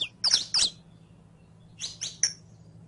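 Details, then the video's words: Saffron finch song used to train captive birds: two quick pairs of bright, high chirps separated by about a second of quiet, with a steady low hum underneath. "ENSEÑA A CANTAR A TU CANARIO CRIOLLO CON ESTE AUDIO DE 15 MINUTOS [SICALIS FLAVEOLA]"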